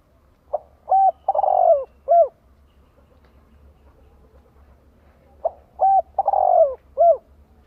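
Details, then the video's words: Spotted dove used as a decoy, calling to lure and stimulate other doves; two cooing phrases about five seconds apart, each a soft opening note, a level hoot, a long tremulous falling coo and a short closing coo, over faint low hum. "Chim cu gáy CHIÊU BỔI - KÍCH MỒI hiệu quả."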